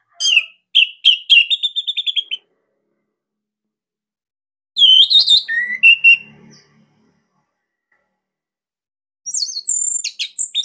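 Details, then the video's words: Song of a captive Orange-headed thrush from Bali, kept as a master bird. Three separate bursts of rapid, loud whistled and chattering notes are spaced by several seconds of quiet. "Kicauan ANIS MERAH Ini Cocok Buat Masteran"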